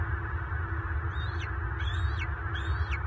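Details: Bald eagles in Southwest Florida on March 24, 2023, as a nesting father feeding eaglets alone is chased by an intruding adult and the two lock talons. Three high, thin piping chirps that rise then drop sharply, over a steady low rumble of wind.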